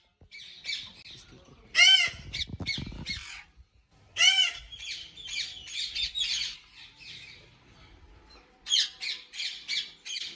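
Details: Ringneck parrots at a breeding farm in Pakistan, with loud, harsh screeching calls in irregular bursts and quieter chattering between them, plus some low background rumble.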